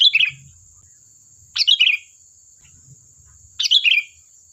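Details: Sooty-headed bulbul, vocal and lively, singing to draw other birds into replying: short bubbly chirping phrases that drop in pitch, repeated about every two seconds, with a faint steady high hum behind.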